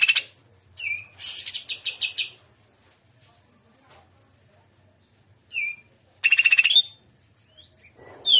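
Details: Greater green leafbird singing in the rapid-trill trotolan style, called gaya udang: short high bursts of buzzy rattling notes and sharp whistled slurs, separated by long quiet gaps.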